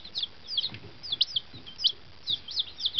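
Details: Day-old fancy chickens just settled in a new henhouse after a long boxed journey across the country. They give sharp, high, downslurred cheeps, scattered and uneven, several each second in small clusters.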